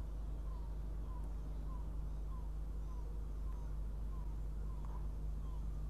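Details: Young northern goshawk at the nest for breakfast, Riga, Latvia, early morning of 23 June 2017, live nest camera; faint, thin descending calls repeated evenly roughly every 0.6 seconds against constant low droning noise.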